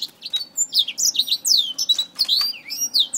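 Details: Black-throated finch fighting a finger, uttering sharp, high chirps and long downslurred whistled notes in quick succession with small clicks between.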